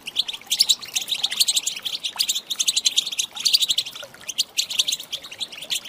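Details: Female European goldfinch calls meant to excite males into singing: dense bursts of bright, tinkling twitters and chirps, fast and repeated, with brief pauses between flurries and no other clear sounds.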